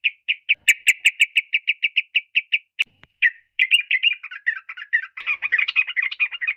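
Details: Yellow-vented bulbul (trucukan) singing: a run of quick, evenly spaced bright notes, then a brief pause and a rich, rambling warble of chattering phrases.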